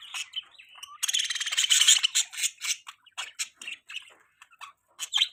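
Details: Budgerigar mating call: dense, scratchy chirps and harsh squawks packed into fast bursts, with a loud, buzzy stretch of chatter around the middle and brief gaps between shorter notes.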